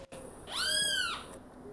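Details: Great kiskadee, known locally as bem-te-vi, gives a single drawn-out, arching call that rises and then falls, with rich harmonics, over quiet background.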